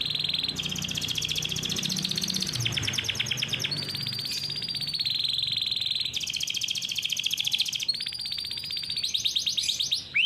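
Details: Captive-bred canary in continuous rolling song used as a master for young birds: dense rattling trills alternating with steady high buzzy rolls, switching between phrases every second or two, with a quiet low hum beneath.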